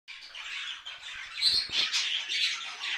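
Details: Parrot giving continuous scratchy, squawking chatter with bright, buzzy high notes, growing louder midway, indoors in a small room.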